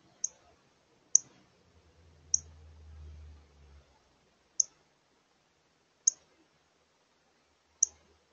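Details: Female Northern cardinal on edge at dinnertime in the evening, crest raised, giving sharp, very high metallic chip notes, six in about eight seconds at uneven intervals, with a faint low rumble in between.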